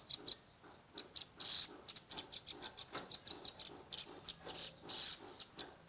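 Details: Velvet-fronted nuthatch youngster in 'tembakan' shooting song, recorded by phone: two sharp opening chips, then a long steady volley of high, clipped notes, ending in spaced bursts.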